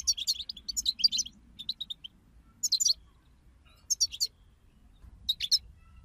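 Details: Group chatter of European goldfinches used to spur a goldfinch into singing: bright, high twittering phrases of rapid chirps, separated by short silences, with a faint low rumble beneath.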